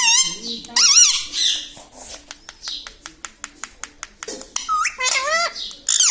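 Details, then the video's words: A talking parrot, credited with saying papa and mummy, opens with strained squawky syllables, then a long stretch of regular faint clicks or taps, ending with more wavering, rising-and-falling vocal sounds. "Papa Mummy Bolne Wala Tota - Talking Parrot - Me Tota Me Tota || batuni tota"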